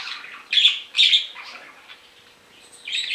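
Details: Pet budgerigar, young male, calling while separated from its companion budgie indoors; a few short buzzy chirps in two bursts early on, then a quiet gap and a final scratchy chirp.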